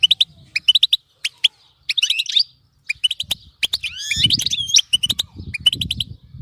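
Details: European goldfinch singing, played so a caged goldfinch will not fall silent: clipped chirps in quick groups, then a buzzy, slurred tangle of rising and falling notes, with low rumbling background.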